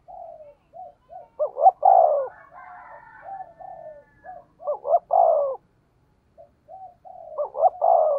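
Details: Decoy spotted dove of the 'thổ' voice type delivering 'thúc gù' coos: soft short hoots build into a stuttering double note and a loud falling coo, three times over.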